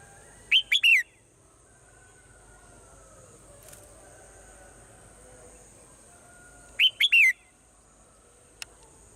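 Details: Swallow song at morning: a short three-note whistled phrase, two quick rising notes and a descending one, heard twice about six seconds apart, with faint background noise and a single click near the end.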